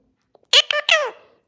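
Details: Indian ringneck parakeet speaking Gujarati words: three squeaky, high-pitched syllables in quick succession, the last drawn out and sliding downward, with a couple of faint clicks before.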